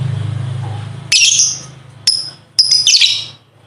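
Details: Lovebird ngekek, a tutoring recording for competition birds: a low engine-like rumble at first, then scratchy high bursts and short sharp chirps.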